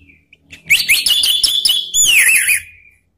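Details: Male orange-headed thrush, used as a lure to prompt other birds to sing: after a faint note, a loud rapid stream of whistled and buzzy notes, then a sweeping downslurred phrase, lasting about two seconds.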